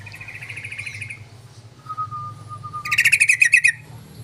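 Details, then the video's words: Yellow-vented bulbul lure call meant to draw other bulbuls: a steady low whistle, then a loud rapid rattling chatter of about a dozen harsh notes over a constant low engine-like hum. "TONTON SUARA PANCINGAN BURUNG TRUCUKAN❗TRUCUKAN PASTI NYAUTTTTT❗"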